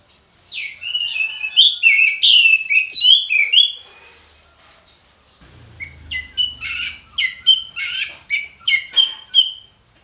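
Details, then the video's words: Orange-headed thrush giving ngeplong song: two bursts of rapid, varied whistles and chirps, loud and high, separated by a quiet gap with a faint low rumble. "ANIS MERAH NGEPLONG, SUARA ANIS MERAH NGEPLONG"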